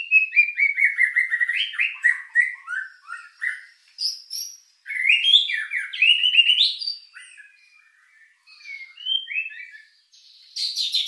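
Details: White-rumped shama singing a rich-filled lure song to stir emotion and breeding urge: a descending trill, then varied, jumpy whistled phrases with short gaps, ending in a high buzzy burst.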